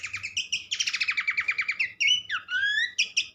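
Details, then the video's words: Horsfield's babbler (pelanduk semak) recorded to encourage other birds to sing. A long buzzy trill of rapidly repeated notes leads into sharp whistles that rise and then fall, over a constant low background hum. "gacor burung pelanduk semak"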